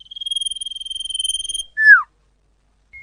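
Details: Common iora lure call, clear and loud: a fast, even trill lasting about one and a half seconds ends in a short note that slides sharply downward, then a faint brief tone.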